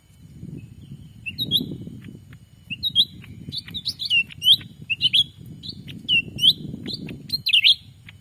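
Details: Lure sound for catching wild black-capped bulbuls in Sumatra: a quickening series of sharp, curving chirps, dense toward the end, over a constant low rumbling noise.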